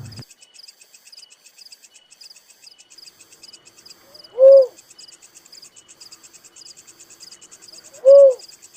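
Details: Pair of brief, hollow notes from a Little cuckoo-dove, over three seconds apart, set against a steady pulsing insect chorus.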